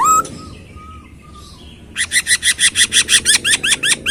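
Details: Masked laughingthrush: a sharp opening note, soft faint whistles, then a fast rhythmic series of about fifteen harsh repeated chirps, several each second.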